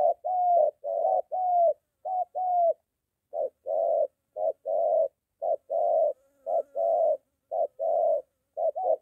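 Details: A spotted dove, a moulting decoy trained near home that met a wild dove, delivers a long run of low coos, alternating short and drawn-out notes about once a second.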